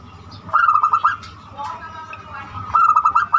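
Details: Zebra dove singing in the unique banyumili style, used as a lure to get other doves singing: two bursts of rapid, clipped cooing notes in quick succession, with a low background hum.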